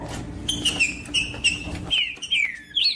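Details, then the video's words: Green-winged saltator singing to stimulate other saltators: a few clear whistled notes, mostly level or falling, in quick succession, ending with an upward flick. "MELHOR TRINCA FERRO PARA ESQUENTAR TRINCA FERRO COM TRINCA FERRO CANTANDO"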